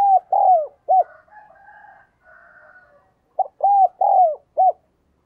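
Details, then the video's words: Calling spotted dove decoy meant to attract other doves; two repeated cooing phrases of short and long mellow notes, the long note falling, with a softer distant dove calling between them. "Chim cu gáy - Chim Cu Mồi Thúc và Gáy Gọi Bổi"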